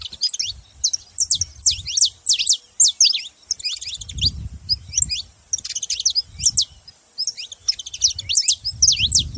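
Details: Loud, rapid chirping from saffron finches comes in bursts of sharp, high, down-slurred notes. The bursts return every second or two over intermittent low rumbling background noise.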